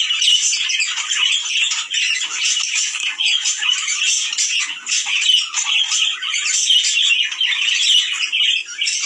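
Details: Mating call of budgerigars, meant to encourage both sexes to breed: a continuous flock chorus of rapid warbles, chirps and scratchy squawks, swelling and dipping slightly in loudness throughout nine seconds.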